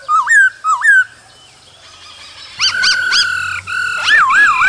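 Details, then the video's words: Cold-season song of a male laughingthrush dancing beside a calling female: two curling whistled phrases, a quiet gap, then sharp upward chirps over a steady whistle and a final wavering warble. "Khướu trống hót múa kèm tiếng mái ro kích bổi mùa lạnh"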